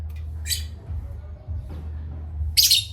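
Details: Pet parrots at playtime giving two short, harsh, noisy chirps, one early and one near the end, over a steady low hum.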